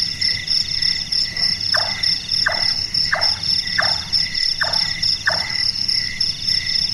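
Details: Large-tailed nightjar, known locally as burung tukang or burung malas, a bird active at night whose call is likened to carpentry: six short knocking chonks about 0.65 seconds apart, each dropping in pitch, over steady high cricket trilling.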